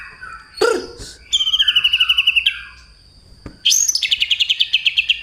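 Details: Male white-rumped shama singing in fighting mode, imitating house sparrow material: varied phrases with a low slurred note, then rapid bright trills of evenly repeated notes, about ten per second, with a steady faint high tone behind.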